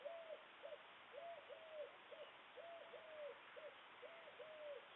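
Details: White stork chicks in a nest being fed, Kozubszczyzna, Poland, 28 May 2022, give short, arched, mewing notes, about two each second in uneven runs, over a steady broad hiss.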